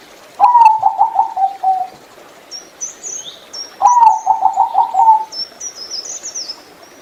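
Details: Zebra dove (Geopelia striata), a small mostly gray bird kept for its beautiful voice, giving two bouts of soft pulsed cooing trills, each about a second and a half, with high thin chirps of other birds in the background.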